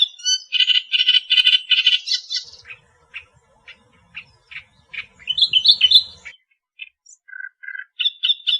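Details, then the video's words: Australian reed warbler singing: a burst of loud, grating notes repeated quickly, then scattered short clicks and chips, a rising whistled phrase, and closing harsh churrs. "Masteran Burung Kerak Basi Australia Suara Asli Kicauan Alam"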